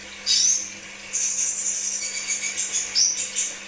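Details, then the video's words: Crimson sunbird recorded as a lure for kept birds: one high squeaky slur, then a sustained, thin, buzzy trill that wavers slightly, and a final sharp rising chip. "Therapy Pancingan Kolibri Sepah Raja"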